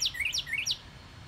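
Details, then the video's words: Northern cardinal singing in a yard in March 2019: three quick, loud slurred whistles, each climbing then sweeping sharply down, then silence. "Our Yard Cardinal Sings"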